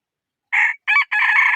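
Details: Rooster crowing in three loud harmonic bursts, a short opening note, a brief second note, then a longer held final note with a slight rise, all clean with no background sound.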